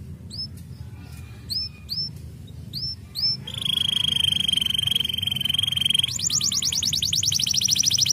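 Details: Canary song: a few separate upslurred whistles, then a loud steady rolling trill and a faster high buzzy trill, over low background hum.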